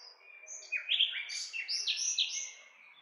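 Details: Nightingale song in a continuous rush of high notes: sharp downward-slurred whistles and quick chirps tumble over one another without a break for three seconds.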